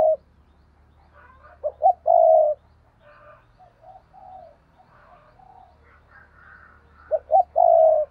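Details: Spotted dove pair: strong stuttering coo phrases ending in a drawn-out mellow note open and close the passage, while quieter coos and faint chirping from the partner fill the gap.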